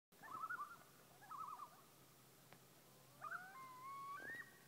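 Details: Loons on Whitefish Lake, Wisconsin: two bursts of rapid wavering tremolo in the first two seconds, then clear tonal notes of rising and level pitch overlapping near the end, with a faint steady low hum behind.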